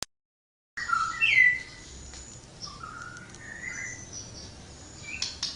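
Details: Flowerpecker singing vigorously: after a moment of silence, a few high, thin whistled notes rise and fall, followed by softer, slurred whistles over a faint background hiss.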